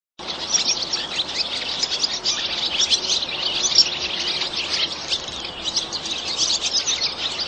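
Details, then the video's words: Barn swallows twitter busily in a dense, unbroken run of quick, high chirps and chattering notes over a faint outdoor hiss. "Swallow sounds"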